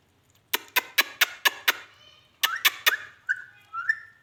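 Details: Rose-ringed parakeet (ringneck) talking: a run of sharp, rapid chattering bursts, six then three, followed by short whistled notes that rise and slide near the end.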